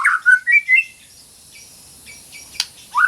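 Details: Song fragment of a White-rumped shama for training silent birds: a few loud slurred whistles, then a long hush with a faint click, ending with one more rising whistle.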